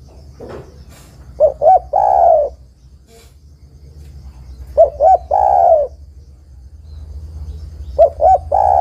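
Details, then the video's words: Calling female spotted dove summoning a male: repeated phrases of two brief coos leading into a longer descending coo, three phrases spaced about three and a half seconds apart, with a soft low rumble beneath. "TEKUKUR BETINA MEMANGGIL JANTAN"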